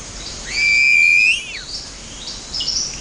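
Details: A frightened Southern Cassowary chick in Australian coastal rainforest calls anxiously for its father after running away from him. It gives one long, high whistle, held level for about a second, then sliding down, followed by a faint click.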